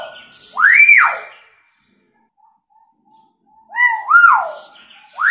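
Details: Hill myna copying siren and scream sounds as a lure for quiet birds: loud swooping rising-falling wails, a pause with soft low notes, then more siren-like sweeps.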